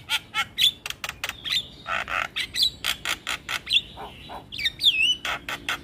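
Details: Javan myna's varied song, meant to draw quick replies from other mynas, mixes harsh rasping bursts and clicks with short sliding whistles in an uneven chattering stream.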